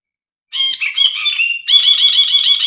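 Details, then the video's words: Brinji bulbul: squeaky, slurred notes sliding downward, then a dense, rapid chatter of harsh, repeated nasal notes that continues to the end. "burung brinji | masteran & pancingan ampuh brinji bahan, macet bunyi"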